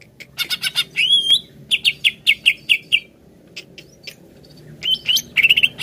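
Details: Greater green leafbird, used to prompt another bird to sing, delivering quick chips, a rising whistled slur, a steady run of repeated sharp notes, a short gap, then renewed slurred whistles and chips.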